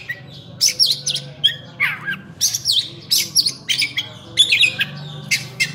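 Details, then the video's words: Oriental magpie-robin singing vigorously, a jumble of harsh scratchy bursts, squeaky notes and short whistles in rapid, varied sequence, with a low steady hum underneath. "Kacer Full Isian"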